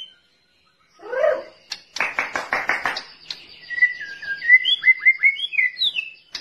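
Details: A White-rumped shama, suited as a song tutor for other birds, sings a varied phrase in a quiet room: a low chirp, a burst of harsh rasping notes, then quick clear rising and falling whistles.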